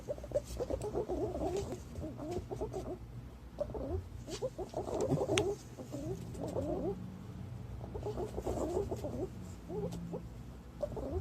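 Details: Flock of green pigeons calling, used to lure the birds: continuous low, warbled, gurgling notes in overlapping bursts with brief pauses between them.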